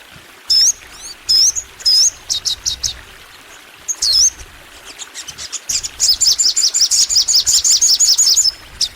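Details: Long energetic crimson sunbird song from a master recording meant to prompt sunbirds to sing more: loud downslurred high whistles and chips, then a rapid buzzy high trill that runs to the end.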